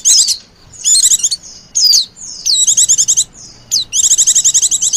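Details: High white-eye calls played to lure wild white-eyes: thin sliding whistles mixed with fast, tightly pulsed chattering runs that grow longer toward the end.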